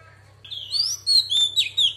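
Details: Female Oriental magpie-robin singing a wild-voiced phrase to stir up males: after a brief pause, long clear whistles gliding downward, followed by two or three crisp, ringing notes; low mechanical hum underneath.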